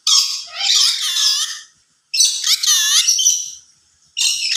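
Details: High, grating, harmonic-rich vocal bursts of a yellow-sided conure that can talk, two long phrases about two seconds each followed by the start of a third.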